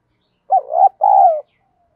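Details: Spotted dove lure call meant to spur fighting, 'giọng đồng' voice: one two-part coo, a wavering low note breaking into a brief pause and then a longer smooth coo, with silence around it.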